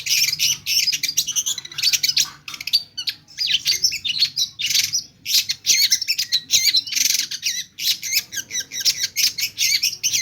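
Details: A pentet, or long-tailed shrike, in full song with imitated phrases. Harsh scolding bursts and rapid trills stream nearly nonstop, punctuated by sharp staccato chips and a few brief gaps.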